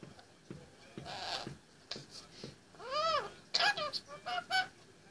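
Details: A male Indian ringneck parakeet, 18 months old, chatters from his play stand indoors. It makes soft babbling, speech-like sounds, then rising and falling warbled syllables and short sharp squeaks toward the end.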